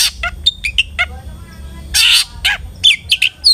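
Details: Long-tailed shrike in full song, played as a lure to make other shrikes sing: short chirps and sharp high notes broken by a harsh, broad scratchy burst midway, then quick clipped twitters.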